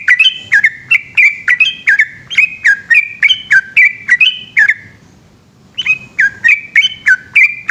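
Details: Long night song of a yellow-vented bulbul in the rolling ropel style. Rapid bubbling whistled phrases run for about four and a half seconds, pause briefly, then resume with the same chattering, slurred notes.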